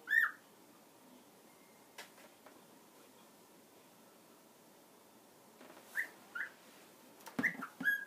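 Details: A cockatiel on a box atop a kitchen cupboard taps and gnaws the box while calling. Short, clear whistled notes come once at the start and in a burst of four near the end, between sharp taps and knocks.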